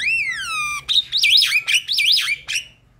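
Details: Javan myna song meant to spur silent birds into singing: a long, clear, falling whistle with rich overtones, then wavering, warbling high notes.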